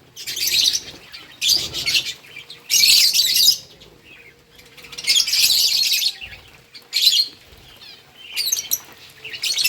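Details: On August 4, 2024, lovebirds eating green food chatter in loud, shrill bursts of chirping lasting about a second each, separated by quieter gaps with a faint steady hum.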